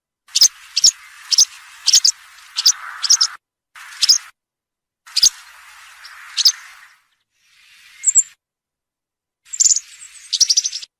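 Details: A European serin sings its wild field-type song, a fast, jingling, high-pitched trill of buzzy, glassy notes in bursts with brief pauses between phrases, played to teach young serins.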